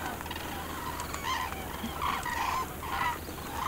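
Common cranes give loud, rolling trumpeting calls in short bursts, roughly every half second to second, over a steady low background rumble.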